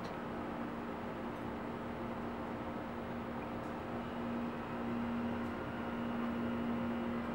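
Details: Broad mechanical whirring like a fan or motor, with a faint steady low tone and no animal calls.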